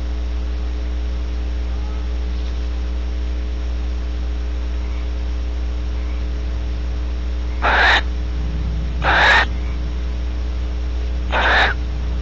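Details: Female Barn Owl at Starr Ranch, California, after mating with the male nearby: seven seconds of quiet hum, then three short, noisy wheezing hisses spaced one to two seconds apart.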